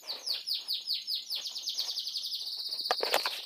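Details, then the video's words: Chinese canary singing in Kuwait, a loud run of rapid downward-swept whistled notes repeated several per second, merging into a steady high trill with sharp clicks near the end. "كناري صيني يغرد"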